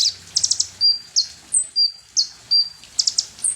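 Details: {'text': 'Sunbird, known locally as konin or kolibri ninja, singing a lure song meant to provoke birds: high, thin whistled notes alternating with short buzzy trilled bursts, sometimes sliding downward, in a fast irregular sequence; faint low hum beneath.'}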